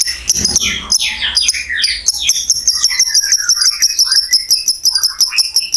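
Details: Lovebird chattering, from a long ngekek trill recording used to stimulate other lovebirds: harsh squeaks and sweeping whistles over a steady, rapid, high metallic ticking trill throughout.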